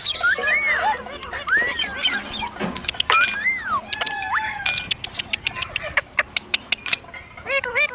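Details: Parrot producing clear whistled notes that rise and fall in arcs, then quick high chirps and a short run of repeated squeaky calls near the end, over faint background noise.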